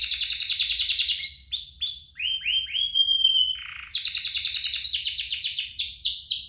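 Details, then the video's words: Two canaries in full song, played to coax other canaries into singing and to teach young ones: a dense buzzy trill, a middle run of rising slurs and a steady whistle, then renewed rapid rolling trills. "Kompilasi DUO GACOR, cocok untuk pancingan kenari biar gacor, masteran kenari paud"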